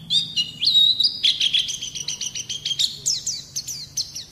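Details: White-eye song meant to coax young birds into singing, opening with a rising whistle and a level trill, then a steady rapid series of high downslurred chirps.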